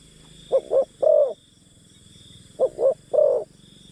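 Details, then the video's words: Spotted dove decoy calling to draw in wild birds: two phrases of two brief coos and a longer trailing croo, about two seconds apart, against a low steady hum. "Pikat Terkukur Aksi denak memujuk burung hutan"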